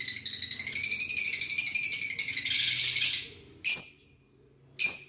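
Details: Interacting lovebirds give a long, evenly pulsed buzzy chatter lasting three seconds, then two separate loud rasping squawks, with a soft low hum in the background.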